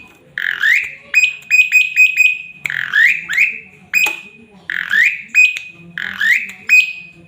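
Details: Male Asian pied starling giving its full training song: a harsh rising squeal followed by a string of short sharp clicks and chirps, the whole phrase repeated four times in about seven seconds.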